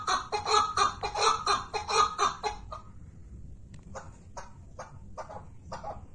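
A partridge gives loud, harsh chuckling notes about five times a second for nearly three seconds. Fainter, sharper clucks follow at a slower pace.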